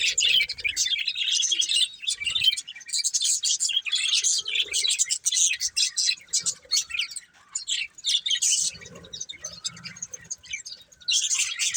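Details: Colourful breeding pair of budgerigars chirping: dense, busy high-pitched warbling and chattering chirps with brief pauses, plus a few soft lower notes underneath.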